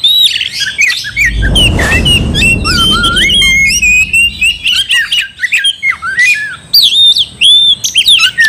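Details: Singing oriental magpie-robin, its song provoking another to fight, pours out sweeping whistles, rising and falling slurs and harsh notes; a brief low rumbling noise at the start.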